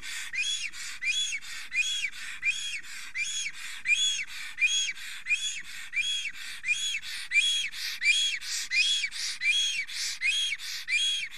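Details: Wild black stork in Estonia, an extremely excited male at the nest at 10:48 am on 30 April 2020, trembling and singing while a female is nearby: breathy, hissing arched whistles repeated steadily, about one and a half per second.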